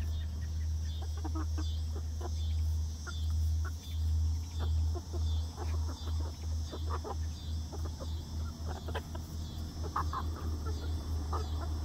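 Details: First day outdoors for a new flock of young laying hens in a backyard run: irregular brief clucks scattered throughout, above a pulsing low mechanical hum.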